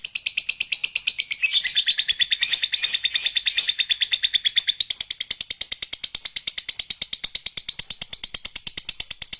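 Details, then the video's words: Lovebird giving its long ngekek chatter as it dozes off, used to prompt silent lovebirds: an unbroken rattling trill of sharp high pulses, starting with a whistled tone that fades into a quicker, even buzz. "LOVEBIRD NGEKEK SAMBIL KETIDURAN"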